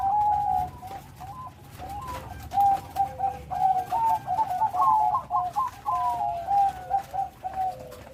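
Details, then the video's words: Bangkok zebra dove singing actively with a big voice and full rhythm, a long string of rapid rippling coos pulsing in quick beats, ending in a lower downward-sliding note. "Burung perkutut bangkok gacor.Suara besar. Irama lengkap."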